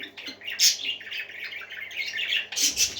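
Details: Several parakeets warble and chirp indoors, a continuous jumble of scratchy, twittering notes broken by two sharp high bursts near the start and end, over a low electrical hum.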